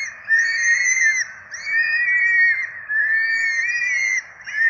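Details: Loud, piercing begging squeals from four Peregrine falcon chicks being fed at their nest in Rome on 12 April 2024: long arched whistled notes, each over a second, with brief breaks between.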